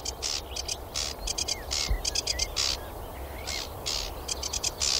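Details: A male Sedge Warbler, a migrant from Africa, sings from a high perch on a tall bush among gorse in Welsh grassland and marsh at dawn to mark its territory: fast, scratchy chatter of harsh buzzy bursts and brief whistles over a low rumble.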